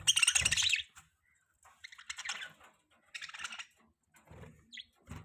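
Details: Budgerigar (parakeet) chirping: short scratchy, buzzy chatter bursts, each under a second, separated by brief pauses, with softer faint chirps and a few low thumps between them.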